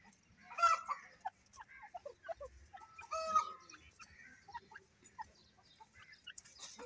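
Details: Grey francolin in breeding season, playing in mud: two louder harsh, nasal calls near the start and middle, separated by scattered short clucking notes and soft clicks, with a quiet background.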